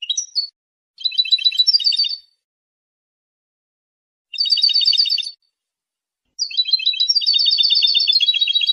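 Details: Territorial and courtship song of a European goldfinch, which can sing long without pause: a slurred note, then bursts of fast, buzzy, liquid trills in phrases of about one second, ending in a longer continuous trill; no other sounds.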